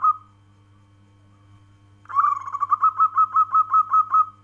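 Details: Local perkutut, the zebra dove, ends one phrase, then after a quiet gap gives a long rolling series of about a dozen quick, evenly pulsed coos, with a faint steady hum underneath.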